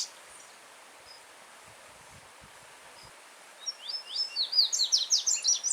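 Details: A yellow-bellied seedeater in the wild, with a soft stream murmuring in the background. Mostly water noise at first, then the bird launches into a strong run of rapid, ringing high notes repeated almost three times a second.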